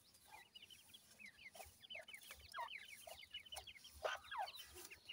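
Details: Grey francolin chicks (teetar ki bacche) calling to their feeding mother: faint, fast series of high thin peeps, each one falling in pitch, with occasional soft lower notes.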